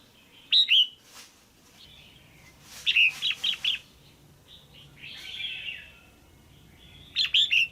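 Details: Calling to stimulate a male or to pair, a caged female red-whiskered bulbul gives a loud chirp, then a quick run of four bright notes, a soft warbling stretch and a final double chirp.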